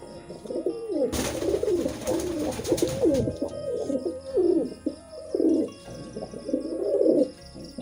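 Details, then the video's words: Several pigeons cooing while mating, overlapping rolling coos that rise and fall continuously, with a burst of broad rustling or flapping noise early on and a low hum in the background. "Pigeon Sound Effect || Pigeon Mating"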